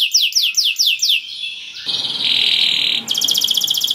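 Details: Canary singing to stir other canaries into breeding mood and join in: fast descending repeated slurred notes, then a long steady buzzy roll and a rapid metallic trill.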